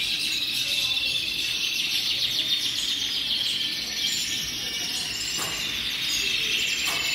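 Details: Hundreds of colorful canaries singing together: a dense, continuous wash of rapid high trills, twitters and chirps with no pauses, many birds overlapping at once and steady in loudness throughout.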